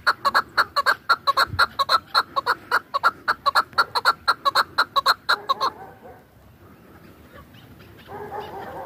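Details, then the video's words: Hunting chukar partridge from Dashti Jum calling a fast run of sharp, clucking chuk notes, roughly two per second for five seconds, then stopping abruptly into quiet background murmur. "Кабки шикори"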